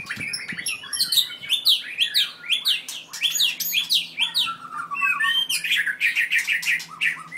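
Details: A very aggressive white-rumped shama, four years old, 7.6-inch tail, from Merapoh, Pahang, pours out a loud continuous torrent of harsh buzzy notes, sweeping whistles and clicks, about two phrases per second.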